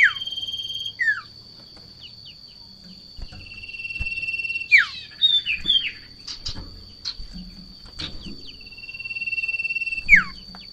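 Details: Golden-bellied gerygone in breeding condition, facing a rival or female: sparse high whistles, some held steady and others dropping sharply, with brief twittering and gaps of quiet. A constant high whine and light knocks are heard.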